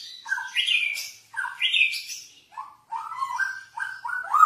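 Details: Lure song of a masked laughingthrush for tutoring other birds, with bright rising whistles at first, then a quicker string of lower, clipped warbled notes after a brief pause.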